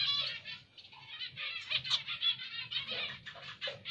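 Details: Zebra finches chatter steadily in nasal, buzzy, stacked notes, rapid and overlapping, with a faint low hum underneath.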